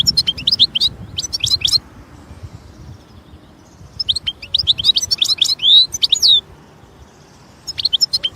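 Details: European goldfinch in nature delivering lively twittering song in three bursts: quick jangling chirps and clicks, a middle phrase ending in sweet down-slurred whistles, separated by short pauses with calm, quiet surroundings.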